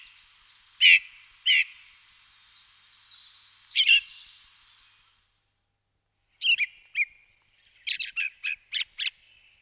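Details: Blue rock thrush (Monticola solitarius) gives short, clear, high notes in scattered bursts, ending in a quick run of about seven chirped notes; a faint steady hiss sits behind the opening.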